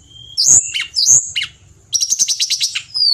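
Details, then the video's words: Pied bushchat from Indonesian bird-keeping circles, singing energetically: two loud, sharp high notes with falling tails, then a fast buzzy rattle of repeated notes, closing on a thin drawn-out whistle. "Tledekan Gunung Gacor"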